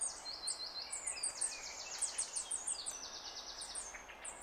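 Goldcrest giving very high, thin squeaks in quick overlapping runs, some notes shimmering into short trills, with faint background hiss.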